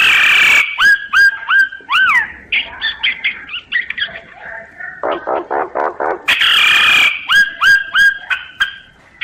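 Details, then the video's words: Loud common myna song: harsh hissing squawks, repeated rising whistled notes, arched whistles, a jumble of chattering phrases and a rhythmic series of deep croaking pulses, then more squawks and whistles. "Tiếng chim sáo, sáo nghệ hót chuẩn"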